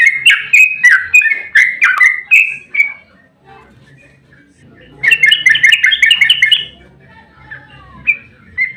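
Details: Sooty-headed bulbul in combative song, meant to bait other birds into calling: a fast run of whistled notes, a pause with low hum, then a second dense chattering burst and scattered single notes.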